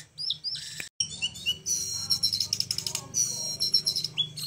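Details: Flowerpecker singing in an unusual style, a master recording for tutoring birds: thin whistles, a short break, then long sparkling high trills of fast repeated notes, over faint low hum.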